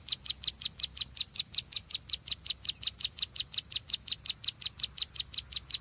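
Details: Bar-winged prinia, used to lure birds for trapping: a fast, regular series of high, piercing chips, some thirty notes in under six seconds, each evenly spaced, over faint low background hum.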